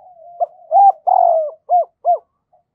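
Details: Decoy spotted dove cooing in a double-voice calling style used to provoke wild doves: a soft low lead-in, then a loud cooing phrase and two short, separate, clipped coos near the end, in a quiet background.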